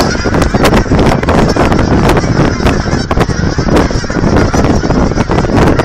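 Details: A dense, continuous clamor from a huge flock of geese, thousands strong, at an aquatic center in Hereford, Texas, as visitors feed them; overlapping honks merge into a steady, noisy roar with no pauses.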